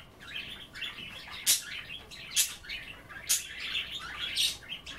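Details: Budgerigars at home, nibbling kale in their bath water, chattering steadily: a rambling buzzy warble punctuated by sharp bright chirps about once a second.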